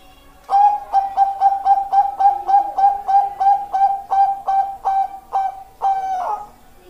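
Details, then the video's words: Zebra dove of the Bangkok type, a perkutut, singing a run of about fifteen short, clear, hooting coos on one steady pitch, evenly spaced and slowing slightly, ending in a longer drawn note. "Perkutut Bangkok"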